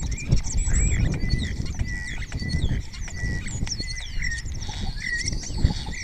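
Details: Spotless starling singing close-up on the raña of Cabañeros National Park, Spain, answered by other starlings, during the deer rut: busy medley of thin whistles, squeaks and scratchy rattles with a repeated level whistle, over heavy low wind rumble.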